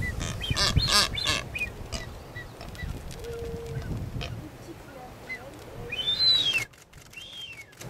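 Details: Blue-footed boobies (Sula nebouxii excisa) on San Cristobal, Galápagos, Ecuador, in May 2012, give a quick run of harsh, honking calls, then two clear, high, arched whistles near the end.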